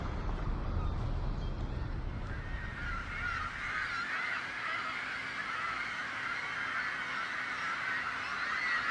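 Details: Seagulls, a noisy group calling to frighten off predators: low rumbling noise for the first three seconds, then a dense chorus of overlapping harsh, wavering calls that builds and continues steadily to the end.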